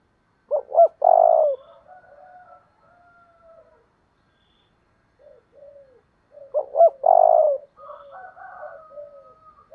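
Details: Spotted dove, used to stir decoy birds into 'thúc đấu' fighting calls, repeating its coo about every six seconds. Each phrase has two short notes and a long, buzzy, falling coo, followed by soft, trailing tonal murmurs.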